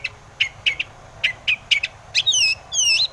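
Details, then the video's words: Long-tailed shrike used as a lure to make other shrikes sing, short repeated scratchy notes about three a second, then two long clear whistles sliding downward at the end. "KICAU SUARA cendet gacor RAJA PIKAT ini RAJANYA BIKIN NYAUT pentet lain"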